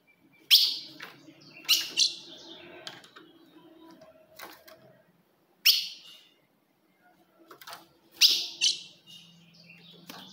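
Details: Ultramarine grosbeak female calls meant to stir a male: sharp chips singly and in pairs, spaced a few seconds apart, over a faint low hum.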